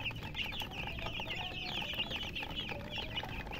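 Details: A group of baby chicks chirping continuously: rapid high, thin cheeps, some rising and some falling, crowding over each other in an unbroken stream above steady low background rumble.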